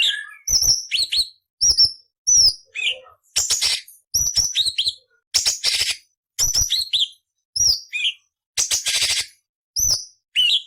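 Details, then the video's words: Long sequence of cucak cungkok tutor song with harsh rasping variations: many short phrases of piercing high whistles and clipped upslurs, broken by gritty buzzing bursts, with brief gaps between. "Masteran Burung Cucak Cungkok Istimewa - Isian Variasi Beset Nyerecet Kasar untuk Murai C.Ijo Kacer"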